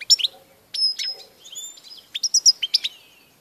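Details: European goldfinch singing, recorded 16 March 2014: bright twittering phrases of sharp high chirps and short whistled slurs, with brief pauses between bursts.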